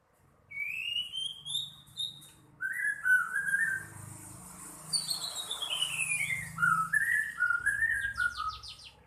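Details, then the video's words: White-rumped shama in full song: rising clear whistles, then a long descending run of fluty notes and wavering warbled phrases, laced with sharp high chips and a buzzy trill near the end over steady low background noise. "murai gacor dokor"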